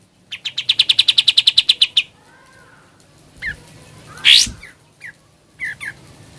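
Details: Sooty-headed bulbul giving a fast ngebren trill of about fifteen high chirps in under two seconds, followed by scattered short calls and one harsh upslurred squeak.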